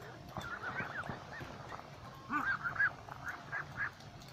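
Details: Ducks gathered in a flock by a lake chatter in quick, nasal, slightly rising calls, with a louder burst of several calls in the middle, above a low background hum.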